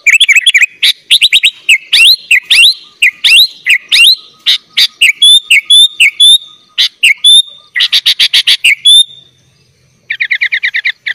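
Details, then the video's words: Sooty-headed bulbul in lively gacor full isian singing, used as tutor song for young birds: rapid run of bright chirps and sharp up-and-down whistled sweeps, packed closely, a short pause, then a fast trill of chirps at the end. "kutilang gacor full isian - cocok buat masteran kutilang bahan"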